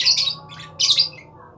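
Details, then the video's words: Lovebird giving two shrill, harsh squawks about three-quarters of a second apart, each high-pitched and rasping, in a quiet indoor setting with a faint low hum. "Burung lovebird"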